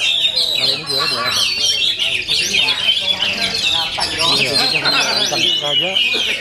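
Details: Oriental magpie-robin singing at full power: dense, loud high whistles and scratchy chattering with fast trilled runs, continuous from start to finish.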